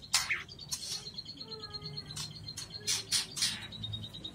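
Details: A 9-month-old white-rumped shama sings a run of quick, high, evenly spaced notes broken by harsh, scratchy bursts, over a faint low background hum.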